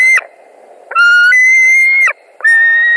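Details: Loud drawn-out scream from a White-tailed eagle at a nest in Latvia, 21 July 2019, evening, during a short visit by an arriving eagle; long level shrieks separated by brief pauses.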